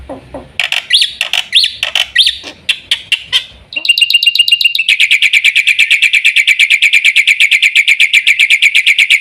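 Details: Black-winged myna opening with scattered squeaky notes and whistles, then launching into a steady, fast series of harsh buzzy notes repeated without pause.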